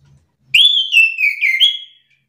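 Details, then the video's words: Orange-headed thrush provoked into agitated answering song: a loud whistled phrase that starts high, slides gently downward through slurred notes, then ends on a brief rising whistle. "Anis kembang mu langsung terpancing emosi ikut bunyi sahut sahutan"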